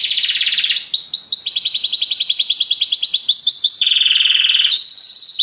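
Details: Song of a Belgian canary: continuous rolling trills that switch between tours, a lower rattling roll, then a higher string of quick sweeping notes, a short deeper buzzy stretch, and a bright high trill.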